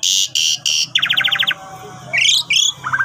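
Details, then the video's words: Asian pied starling song intended as training material for starlings: three steady buzzy blasts, then a rapid series of pulsed notes, rising whistled slurs and a short trill at the end. "Jalak Suren Gacor Cocok Buat Masteran Jalak Males Bunyi"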